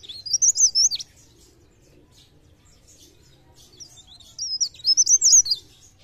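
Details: Sunda warbler giving blereng gacor song, 'pre pare', used to coax other birds into singing: two short bursts of loud, high, wavering twitters separated by a few seconds of quiet.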